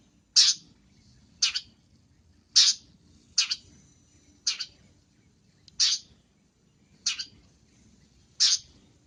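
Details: Gacor long-tailed shrike on a cendet training recording rich in fill-in song, giving loud scratchy high notes at uneven intervals of one to one and a half seconds, eight bursts in all, against near silence.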